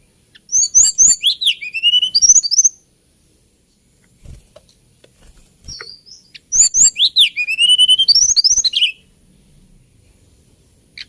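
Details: Hill blue flycatcher (Cyornis banyumas), song.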